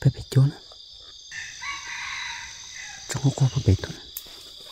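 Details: A red junglefowl, recorded while luring with a female junglefowl decoy, gives a single drawn-out crow, thin and harmonic, mid-recording. Heavy low thumps and knocks come before and after it.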